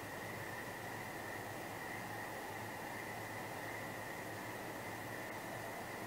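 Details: Steady broadband hiss with a constant band near two kilohertz-like tone and low rumble, like machine or vehicle noise; no animal calls are heard.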